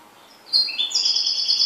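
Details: Kept goldfinch singing a brief burst of bright, high twittering notes that start abruptly and continue as overlapping metallic trills.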